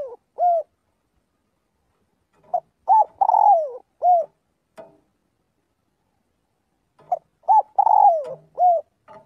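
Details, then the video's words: Calling to gather the flock, a spotted dove practising daily repeats a phrase twice: brief lead-in notes, a long coo sliding downward, and a rounded closing coo, with silence between phrases. "tiếng chim cu gáy gọi/chim cu gáy gọi bầy luyện giọng mỗi ngày"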